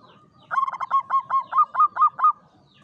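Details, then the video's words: In a classic Mataraman cage, a local zebra dove (perkutut jawa) sings one klowongan phrase, a string of about nine rhythmic, clear cooing notes lasting nearly two seconds. "SUARA PERKUTUT JAWA KLOWONGAN"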